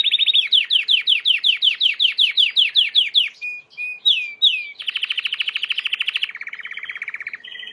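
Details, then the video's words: Timbrado canary, white bird, singing for training: about fifteen evenly spaced downward-swooping notes, a few slower slurred notes, then fast rolling trills stepping lower in pitch. "Chant de Canari timbrado / the wonderful sounds of canary bird chirping / canario timbrado cantando"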